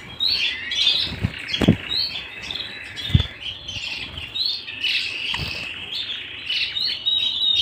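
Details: Canary singing at home: bursts of high chirps and short warbled trills separated by brief pauses, with several soft thumps and fluttering sounds, as of movement in a cage.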